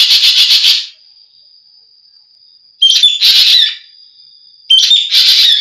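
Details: Harsh, rasping pulsed burst from a green magpie, followed by two calls that begin with a sharp whistled slur and break into grating chatter. A thin steady high whine fills the gaps.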